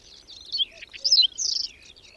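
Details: Whinchat singing during a sudden May snowstorm with strong wind and cold, on the outskirts of Domzheritsy in the Berezinsky Biosphere Reserve; scratchy, high twittering phrases with quick chattering bursts, over a faint low background rumble.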